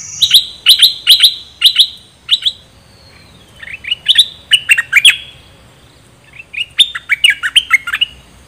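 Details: Decoy bulbul, one of three decoy birds: loud, clear bubbling phrases of bright chirps, delivered in three groups of several quick notes with short quiet gaps between, little background noise.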